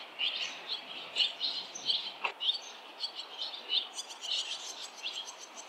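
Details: Barn swallows at a busy fledging on a street where seven nests have already fledged, parents and other fledglings flying in; a rapid stream of high, sharp chirps overlapping, roughly one every second, with one brief louder click midway.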